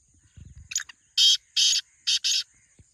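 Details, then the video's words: Black francolin calling: after faint low rustles and a brief squeak comes a loud phrase of four harsh, buzzy notes, the last two close together. "Black Teetar Voice/Kala Teetar ki awaz"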